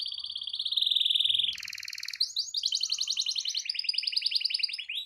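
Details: Domestic canary in full song used to provoke other canaries into singing, with long rolling trills: a sustained high whistled roll, a buzzy section, then rapid pulsed trills repeated several times a second.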